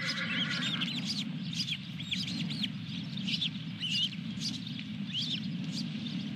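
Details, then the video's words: Osprey at its nest at Dunrovin Ranch on 23 June 2021, with the fourth fish delivered. High whistled chirps rise and fall in quick series over a steady low mechanical hum. "Dunrovin Ranch Osprey Video_2021-06-23_221314-Fish #4"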